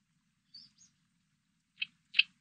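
Oriental reed warbler: two faint thin high notes, then two loud, harsh, grating syllables about half a second apart, with quiet background.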